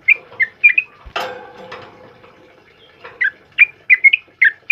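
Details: Yellow-vented bulbul giving short, bright whistled notes. A loud clatter and rustle break the sequence for about two seconds, then the quick notes resume in a lively series.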